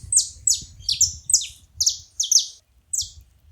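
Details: High, sharp chirps from a saffron finch at a feeding place. The notes are downslurred and often paired, coming about every half second over a soft low hum.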